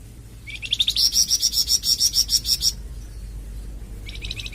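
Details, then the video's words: Flamboyan bird singing; the song serves as masteran tutoring and pancingan prompting for caged birds. Several low chirps lead into a fast, loud series of sharp notes rising higher, lasting about two seconds; a short burst returns near the end. "Suara Kicauan Burung Flamboyan"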